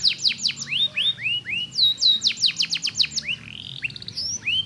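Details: Canary song meant to prompt idle canaries to sing: high, quick trills of downward-sweeping notes alternating with longer curved slurred whistles, some notes very high and thin, a buzzy rattled phrase near the end.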